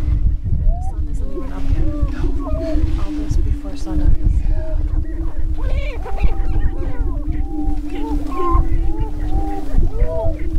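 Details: Greater prairie-chickens on a lek in northwest Minnesota near Crookston, April 27, 2013, during their spring mating dance. A steady low droning hum runs throughout, overlaid by many short arched whooping and cackling notes from several birds, with heavy low rumble beneath.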